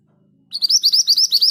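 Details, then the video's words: Scarlet minivet (mantenan gunung) singing a 'ngerol' rolling-style song at steady speed: a one-second run of about nine quick, high, bright chirped notes, evenly spaced, following a short quiet lead-in with a faint low hum. "Burung ini mudah bunyi bahkan diombyokan! Suara ngerol dengan speed yang pas. MANTENAN GACOR"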